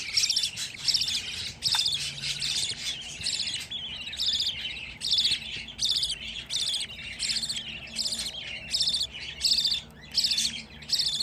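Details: Budgerigar chicks, fifteen kept together, give harsh, buzzy, harmonic rasping calls in bursts repeated about once a second, steady and insistent throughout, with a faint low hum beneath.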